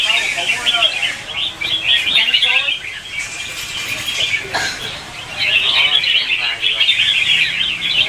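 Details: Red-whiskered bulbuls singing competitively in the morning, recorded as lure song for training caged birds. Busy overlapping chirps open the clip, fade to a quieter gap in the middle, then return strongly in the last three seconds.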